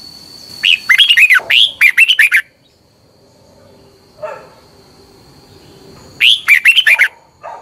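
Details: Song of a Thai Red-whiskered bulbul, used in daily morning sessions to teach caged birds: a long rollicking phrase of rapid liquid notes, a quiet pause with one soft low note, then a shorter bright phrase.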